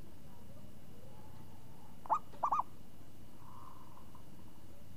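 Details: A single short phrase from a champion zebra dove with a crisp, swinging voice: one opening coo, then a fast rolled double-trill. After it, a soft hum-like sound and faint background noise.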